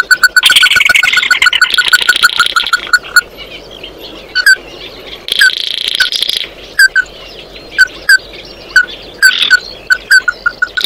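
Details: Oriental white-eye singing to gather its flock: an opening run of rapid clipped notes with buzzy chatter, followed by scattered single chips and short buzzy bursts spaced a second or so apart.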